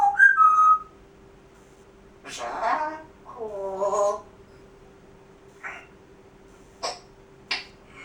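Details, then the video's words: Pet grey parrot showing off mimicry at home: a short whistled phrase opens, followed by two speech-like utterances and a few sharp clicks, steady faint hum throughout. "Žako pričalica"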